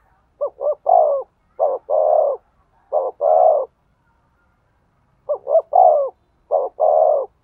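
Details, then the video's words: Spotted dove cooing to provoke a male: four phrases, each a quick stuttered double note then a long, rich coo, separated by pauses of about a second, in a quiet background. "tiếng chim cu gáy thúc gù, tiếng chim cu gáy kích bổi"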